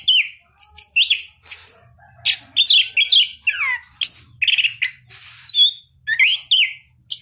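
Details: Captive Orange-headed Thrush from a breeder in southern Malang, singing gacor with a crystal-clear voice: rapid, varied high whistled phrases, sliding and warbling notes in quick bursts with short gaps, a faint low hum beneath.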